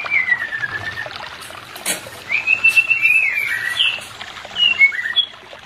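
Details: Song of a white-rumped shama, used as therapy to bring a pair that is not in breeding condition into condition: a long, downward-sliding whistle, then rich, fluid warbled phrases and quick high notes near the end.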